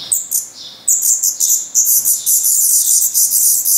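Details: Hungry Black Redstart chicks at a Portuguese nest, May 2020; a few high chirps lead into a sudden loud burst of rapid, hissing begging calls that continues to the end.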